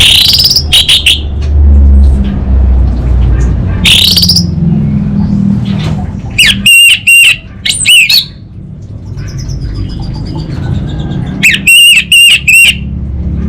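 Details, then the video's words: Orange-headed thrush singing 'kabel konslet' song: scattered bursts of harsh, harmonic, rasping notes in groups of three to five, separated by pauses with low rumbling noise. "ANIS BATA Berkicau Gacor Membuat Burung Cepat Tanggap dan Respon Kabel Konslet Lanjut Ngeplong"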